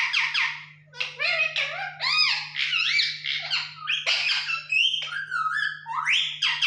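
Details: Parrot kept as a pet chattering indoors, running mimicked speech-like syllables together with whistled rising notes and warbling phrases in an almost unbroken stream over a faint constant hum.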